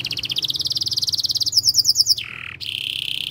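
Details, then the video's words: Canary long song for tutoring young birds: fast rolling trill of repeated bright notes, then a brief high chattering burst and a lower sustained buzzy tone. "PANCINGAN KENARI GACOR PANJANG utk Masteran Kenari PAUD & PANCINGAN Kenari MACET BUNYI"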